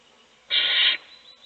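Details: Owl in a nest box feeding one chick while the other chicks sleep; a single harsh, broadband hissing burst lasting about half a second breaks otherwise quiet background.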